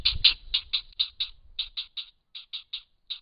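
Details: At a grey heron nest at Hen Reedbeds, where a pair raise young: quick clipped notes in an uneven rhythm, about two a second, slowing and spacing out toward the end, over a quiet background.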